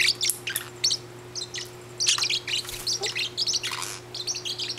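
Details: Indoor pet parrot getting mad as its owner handles another bird: rapid runs of shrill, scratchy chirps and squawks in uneven bursts with brief pauses between them, a constant faint hum beneath.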